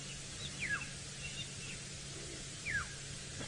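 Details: Black-headed Oriole (Oriolus larvatus) calling loudly in the background at sunrise, around 5 AM on 12 January, at Djuma Game Reserve, Sabi Sand, South Africa: two liquid, down-slurred whistles about two seconds apart, over a low rumble and outdoor hiss.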